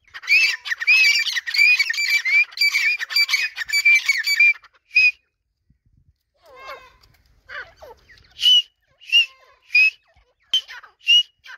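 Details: Two male and two female grey francolins call back and forth: a dense run of shrill, ringing repeated notes, a short pause with softer scratchy notes, then loud separate piercing notes spaced roughly half a second apart.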